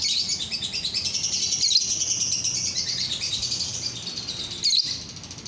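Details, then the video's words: Lovebird singing a continuous, high-pitched chattering song of rapid buzzy trills and squeaks, kept up without pause through the recording; meant as playback to set other lovebirds singing. "DENGAR SESAAT SAJA, bikin lovebird yang lain ikut bunyi"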